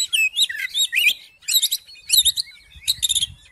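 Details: Oriental magpie-robin singing to stir another magpie-robin into song: dense clusters of high, twittering whistled notes delivered in four short bursts separated by brief pauses.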